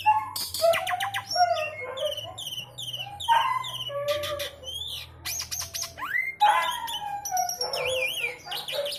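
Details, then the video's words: Javan pied starling singing with a filling in the style called sekebon kacang. Varied loud whistles, rising and falling slurs, sharp chattering bursts and buzzy trills come in quick succession, over a faint low hum. "jalak suren jawa / javan pied starling isian sekebon kacang"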